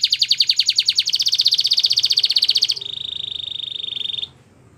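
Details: Belgian canary song meant for training canaries to sing: a fast trill of high repeated notes, then a steadier, slightly lower rolling trill, ending abruptly.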